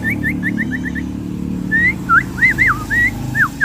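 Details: Common iora of the sirtu fighter type delivering rapid short chips, then louder rising and falling slurred whistles in uneven bursts over a low, constant hum.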